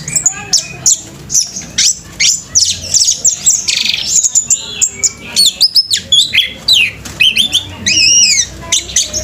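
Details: Orange-headed thrush in intense full-speed song, tail spread and body bowed: dense bursts of high, ringing whistles, sweeping slurs and rapid trilled phrases, nearly continuous with brief pauses.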